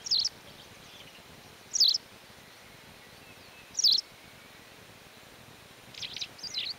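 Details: Sharp, high, two-part chirps from a white wagtail in the mountains of León, Spain, in May 2019. Three calls come about two seconds apart, then a quicker double call at the end, over soft background hiss.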